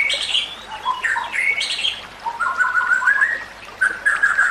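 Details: White-rumped shama song meant for tutoring other shamas: high warbled notes, then mellow whistles dropping and climbing, ending in long, level fluty notes.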